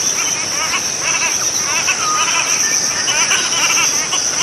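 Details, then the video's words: Repeated chattering call of the cotton pygmy-goose, quick nasal notes in rippling runs, while a constant high-pitched insect buzz fills the background. "棉鴨/Cotton Pygmy-goose(Nettapus coromandelianus) Call"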